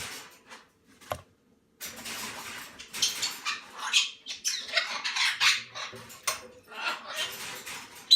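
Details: Hand-reared Moluccan (salmon-crested) cockatoo chicks, under a month old, being spoon-fed porridge, give harsh, hissing rasps in quick uneven bursts, with a clink of feeding utensils and a woman's soft voice.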